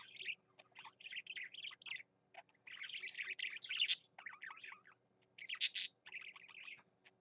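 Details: Male budgerigar singing in repeated bursts of fast twittering chatter and squeaks, each phrase about a second long, with short silences between.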